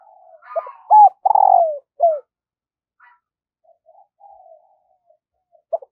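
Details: Spotted dove decoy bird cooing in the morning to call in wild doves: one loud burst of short, hoarse coos falling at the end, followed by soft, faint cooing notes and a short final note.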